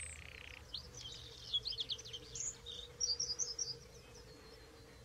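A Bluethroat sings a fast, varied jumble of high twittering, buzzy and ringing notes, with a steady low hum and a faint insect-like buzz underneath.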